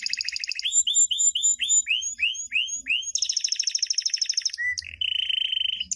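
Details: Training song of a champion canary for young chicks, 2016. A buzzy trill gives way to a repeated series of upslurred whistles, then a fast metallic rattle and a short steady rolled note.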